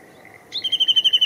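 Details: Japanese bush warbler in Showa Kinen Park, 10 April 2021, suddenly starting a loud, even trill of rapid pulses on one high pitch after half a second of quiet.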